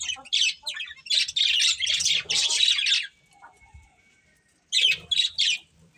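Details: Breeding pair of budgerigars chirping: bursts of scratchy, buzzy warbles high in pitch, a long run of chatter then a pause and a few short chirps.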